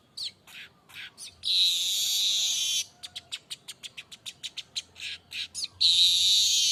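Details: Streaked weaver song: scattered chips, then a long harsh sizzling buzz, then a quick series of about a dozen dry ticking notes that ends in another buzzy sizzle.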